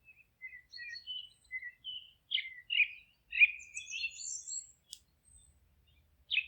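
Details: Singing forest birds, a series of short whistled and chirping notes at varied pitches, separated by small gaps, growing into a jumbled twitter with a sharp click and a final burst.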